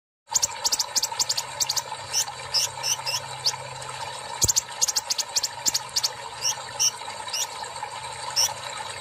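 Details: Kolibri ninja singing actively after a water-bath treatment, a keeper's bird: rapid bursts of sharp high chips and short sizzling notes, dense in the first half and sparser later, over a steady mechanical hum.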